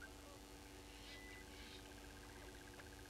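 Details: Brown-hooded Kingfisher at Gowrie dam waterhole, Djuma Game Reserve, Sabi Sand, South Africa, at 07:22 on 26 June 2022: a fast, even rattle of clipped notes, about ten per second, over low engine rumble and hum.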